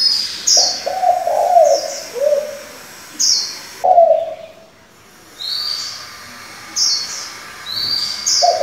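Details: Decoy spotted dove with varied voices for training young doves: a rolling low coo at the start, a short coo near four seconds and another at the end, among high chirping of other birds.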